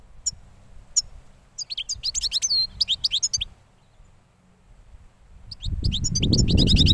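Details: Last year's goldfinch, newly moulted, gives scattered chirps then a burst of twittering song, a quiet pause, and more chirps as loud low rumbling noise rises at the end.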